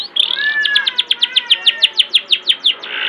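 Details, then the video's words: Long-tailed shrike master song meant to prompt young shrikes to sing; after a short whistled opening, a quick train of about a dozen evenly spaced, downward-flicking chirps over a steady background hiss. "Masteran cendet gacor cocok buat pancingan cendet mudamu biar cepat bunyi"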